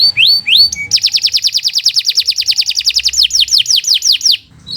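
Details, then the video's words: Canary master song for teaching other birds, with two swooping notes, then a long run of rapid, evenly repeated downslurred whistles that slow into broader sweeps near the end. "Kicau Burung Kenari 135 II LUAR BIASA GACOR PANJANG Cocok untuk Masteran"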